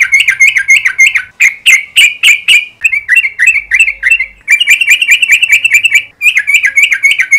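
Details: Yellow-vented bulbul singing in the morning as a lure for long trills: quick bubbly chirps in repeated bursts, some louder clipped notes near the start, then a steady rapid run with short gaps.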